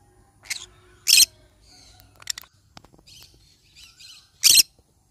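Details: Yellow-sided conure parrot giving two loud, harsh, broadband squawks about three seconds apart, with softer scratchy chatter and brief clicks between them.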